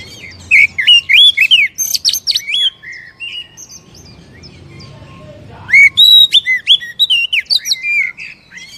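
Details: Oriental magpie-robin kept in a cage, singing to provoke another bird into song: two bursts of loud rapid whistled slurs and chips, with a softer scratchy passage between them.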